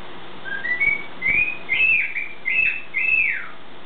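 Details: Pet bird singing in the morning: a rising whistle, then about five bright, arched whistled phrases spaced roughly half a second apart, each ending in a downward slide, over a low steady hum.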